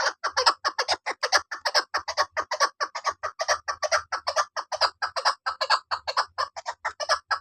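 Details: Hunting chukar partridge, a female, calling in a steady rapid stream of chuk-like clucks, more than two per second, evenly paced over several seconds in a quiet setting.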